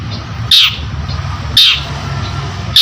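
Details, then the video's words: Long-tailed shrike singing vigorously as a sound lure: three loud, grating screech notes spaced about a second apart, with a low droning background hum. "CENDET GACOR || PANCINGAN BUNYI"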